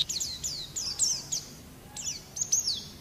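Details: Pleci, or Japanese white-eye, in a training recording for caged songbirds, giving quieter, sharp descending high chirps in spaced clusters over faint background hiss.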